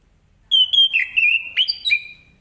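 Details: Orange-headed thrush singing in the morning in the ngeplong style, meant to prompt other birds to answer: a loud run of clear, rich whistled phrases sliding downward, bright and varied, over a quiet background.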